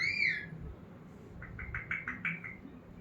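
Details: Pet talking parrot indoors in a small room, giving a rising-falling whistle, then a quick run of six short chirpy notes, with faint low room noise beneath.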